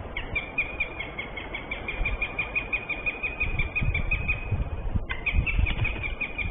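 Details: Northern goshawk calling outside its nest at 6:11 am on 13 March 2023, captured by a nest camera shortly before the pair mates: a long, steady series of rapid repeated nasal notes with a brief break, over strong low wind rumble.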